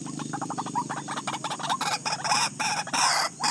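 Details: White-breasted waterhen, said to have forgotten its mate, giving a loud, dense run of harsh, clucking notes repeated rapidly and rising in intensity, with a steady high insect-like hiss behind.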